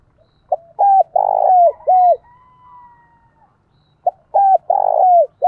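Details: Spotted dove decoy bird calling to lure wild doves, sung in the 'thổ' voice style: two phrases of low, hollow coos, each with a short note, two clipped coos, a long rolling coo and a final drawn coo, separated by about two seconds.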